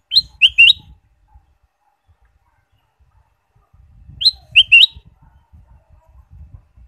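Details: Ruby-throated bulbul singing for caged-bird stimulation, two bursts of the same clear phrase about four seconds apart: a rising whistle and two quick dropping notes, with low thumping noise beneath.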